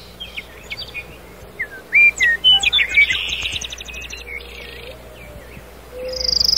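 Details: Nightingale singing at night in a forest: a loud burst of varied whistles and fast repeated chirps, then quieter notes, with a steady low hum underneath.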